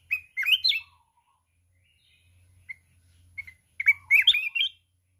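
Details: Mountain red-whiskered bulbul in fierce contest singing with the wild kít bổi voice, wings flapping all the while. A rich warbled phrase opens, soft isolated chirps follow, then a second longer burst of swooping, lilting whistles.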